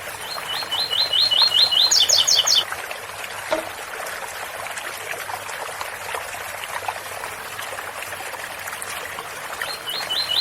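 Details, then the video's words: Ouro fino song of a double-collared seedeater with fountain water running underneath. About eight upward-sweeping whistles are followed by four sharp, higher paired notes. Then comes a long stretch of water alone before a new phrase begins at the close. "Coleiro ouro fino 8x4 - 7x4 com som de fonte de agua"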